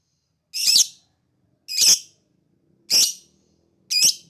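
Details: Lovebird ngekek chatter, intended as a lure to provoke replies from other birds: four loud, harsh, screechy bursts spaced a little over a second apart, with a faint low hum underneath.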